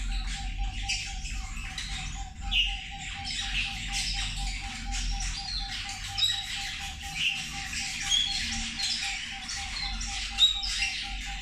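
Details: Feeding zebra finches keep up a continuous soft chatter of nasal chirps and squeaks from several birds, with occasional sharper single calls. A regular pulsing tone and low hum run in the background.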